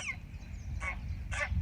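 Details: Noisy greylag geese at floodwater near Colchester, among swans, shelducks and other waterbirds, give two short, nasal honks about half a second apart over a steady low rumble of wind.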